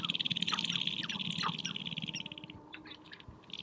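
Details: On a spring prairie hilltop, sharp-tailed grouse dance and fight for females; a fast, steady high rattle runs beneath low throbbing pulses, and a few sharp clucks break through before the rattle fades.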